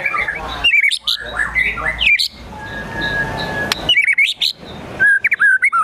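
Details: Agitated white-rumped shama singing a varied mimicry-filled song: bright twisting whistles, sudden harsh rasping bursts and sharp clicks, with a quieter stretch holding a thin steady whistle before the song resumes.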